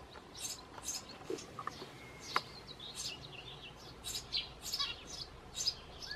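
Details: Eurasian tree sparrow chicks, several in a nest box on a terrace, begging while being fed; bursts of high, shrill chirps and squeaky buzzy notes in quick clusters, with a few lower clicks and a faint thin whistle.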